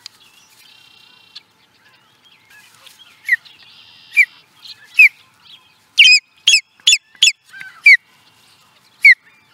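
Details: Osprey calling at Charlo, Montana, USA, in 2017: a series of short, sharp, downslurred whistled chirps, loose at first, then coming in a quick run of five, with a faint steady tone in the background.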